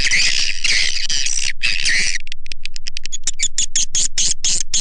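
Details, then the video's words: Lure sound for swiftlets, shared for swiftlet farmers: harsh, noisy chattering bursts at first, followed by a quickening series of crisp, high clicking chirps. "SUARA PANGGIL WALET"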